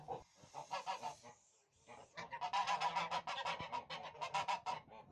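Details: Tula fighting goose, a domestic Russian breed kept as poultry: loud, harsh, nasal honks in rapid overlapping bursts, several birds calling together after a brief quiet start.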